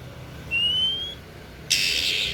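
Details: Oriental magpie-robin (kacer daput) singing: one clear whistled note rising slowly over most of a second, then a short harsh burst of broadband noise, with a faint low hum underneath.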